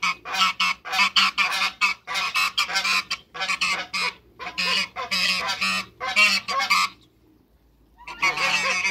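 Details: Backyard African geese, two ganders and a female, honk in rapid harsh volleys, fall silent for about a second, then resume honking.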